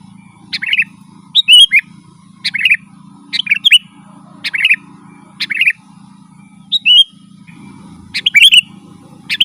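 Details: Sooty-headed bulbul singing busily as a lure for forest birds: repeated short phrases of a sharp note followed by bright slurred whistles, about one per second, over a low humming background.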